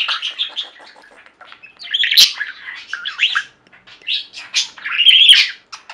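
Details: Budgerigar flock kept as pets, chirping and warbling in quick rattling runs, with a sharp click and loud squeaky chirps, then a brief quiet gap before a bright rising warble.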